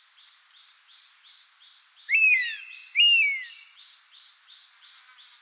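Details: Buzzard calling in the wild: two strong, falling, slurred cries in quick succession over a continuous train of faint, rhythmic insect-like pulses, with one thin high chirp early on.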